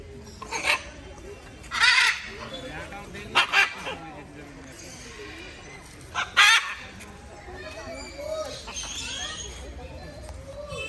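Great green macaw giving four harsh, raucous squawks spaced a few seconds apart, with people talking quietly in between.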